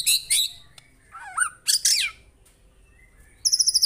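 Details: White-rumped shama in 'tembakan' style from a real bird: harsh noisy bursts alternate with a curling, wavering whistle, ending in a quick high metallic trill.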